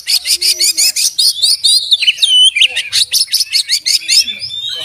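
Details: Oriental magpie-robin in vigorous song full of learned imitations: long series of rapid, evenly pulsed chirps, interrupted by looping whistled slurs, then resumed fast repeated notes throughout.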